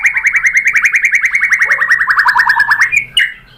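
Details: White-rumped shama, a female calling the male: an even, rapid trill of repeated chirped notes, roughly six per second, ending with a short rising flourish.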